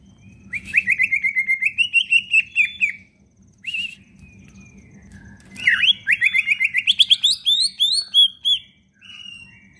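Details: Caged leafbird kept by songbird hobbyists, singing nonstop with a full varied repertoire, used as a lure to prompt lazy leafbirds to sing: rapid rising and falling whistled phrases in two long bursts, with a steady low hum behind.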